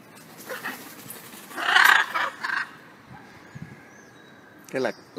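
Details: Wild blue-and-yellow macaws feeding while some chase others away, a loud grating squawk followed by shorter harsh notes, a person's voice near the end and light background noise.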